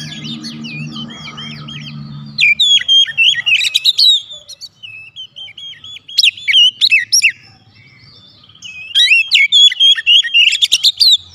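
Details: Oriental magpie-robin bait song for provoking other magpie-robins to sing back: three bursts of rich, varied whistles, buzzy notes and quick up-down slurs, separated by quiet gaps, over a low hum early on.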